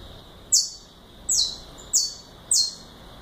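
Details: Four clean descending notes, evenly bright and spaced about half a second apart, from a saffron finch singing galador song against faint hiss.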